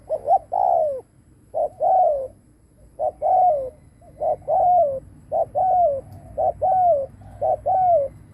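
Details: Spotted dove used as a ground decoy, cooing strongly to lure wild doves; repeated low hooting coos around 500–800, each a short note followed by a longer falling one, in groups about every second.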